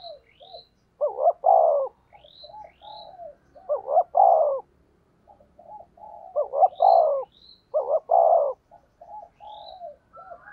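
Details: Spotted dove luring coos: loud phrases of two quick notes and a falling coo, answered by softer low coos from another dove, with thin high chirps of small birds overhead.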